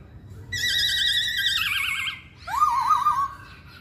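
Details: Masked laughingthrush singing: a loud, rich, harmonic note is held, then breaks into a fast quavering wobble. After a short gap comes a lower note that rises sharply and warbles in rapid undulations. A faint low hum runs underneath.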